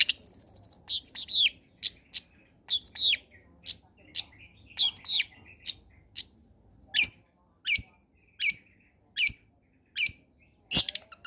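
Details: Long-tailed shrike singing a vigorous combination song meant to coax silent shrikes into singing: an opening rapid trill, then crisp high chips and, later, sharp clicking notes spaced roughly every second.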